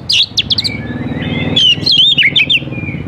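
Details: Oriental magpie-robin song meant to provoke young wild birds into singing back: sharp high chips opening, then a flowing series of warbled whistles and trills over a low steady hum.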